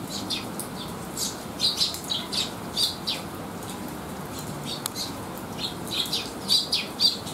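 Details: Young sparrows resting after feeding and sheltering from rain on a rainy day, 8 July 2021: scattered soft high chirps, short and clustered in small bursts, over a constant hiss of rain.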